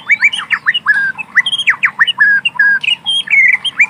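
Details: White-rumped shama singing in wild forest, a dense, fast stream of sharp downslurred chirps and level whistles with scarcely any pause, over a soft low hum.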